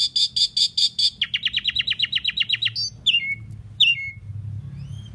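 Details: A common pied myna gives a fast repeated run of nasal squeaky notes, roughly fifteen in a row that speed up, then two loud sweeping descending whistles.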